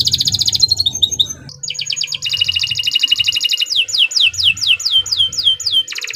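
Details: Nusantara canary in full song: a rapid pulsed trill, brief twitters, a long rolling trill, then a run of descending whistled slurs repeated about three times per second.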